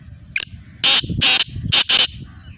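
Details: Kala teetar, the black francolin, from Hyderabad in Sindh, kept as a hobby bird. A thin high note, then four loud rasping bursts in quick succession, each about a fifth of a second long, with soft background murmur.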